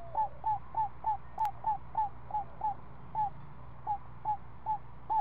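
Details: At the nest, a week-old owl owlet is fed snake by its mother in the afternoon: quick run of short downslurred notes that slows and spaces out near the end, over low hum.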